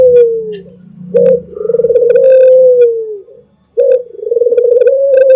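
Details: Melodious albino Barbary dove in a champion training recording. Long trilled coos rise briefly and then taper downward, followed by another phrase beginning. A faint low hum lies underneath.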